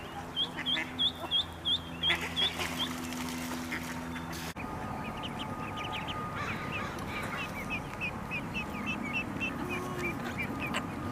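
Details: Scared mallard duckling on a pond seeking its mother, loud piercing peeps repeated evenly about twice a second, then after a sudden break a fainter, faster run of high peeps over a low steady hum.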